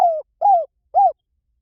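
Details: Spotted dove decoy recording meant to pull in wild doves: three soft, arched coos, each slightly falling, spaced about half a second apart, with silence after.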